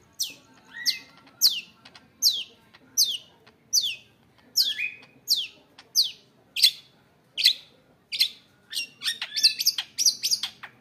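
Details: Caged long-tailed shrike, recently obtained, singing loudly with imitated fill-in phrases: sharp downward-sweeping high notes repeated roughly every 0.6 seconds, a few with short whistled tails, breaking into a rapid jumble of chirps at the end.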